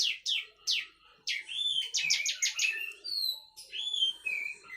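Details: Young bar-winged prinia (Prinia familiaris) chicks, fledging and nearly independent, begging while being hand-fed crickets: thin, high, insistent chirps and buzzy squeaks in quick bursts, some rising and falling.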